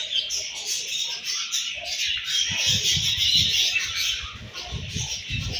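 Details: Budgerigar flock at morning feeding, continuous high warbling chatter over repeated low knocking or pecking sounds, roughly three per second.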